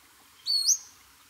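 A single high, thin, sharply rising whistle from a Pacific-slope Flycatcher, a quick upslurred 'suweet' under half a second long, against a quiet background.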